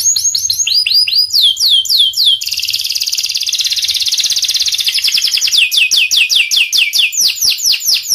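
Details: Pied canary delivering a long continuous song: repeated down-slurred whistles, a dense fast rolling trill, then more looping sweeps at a quick steady pace.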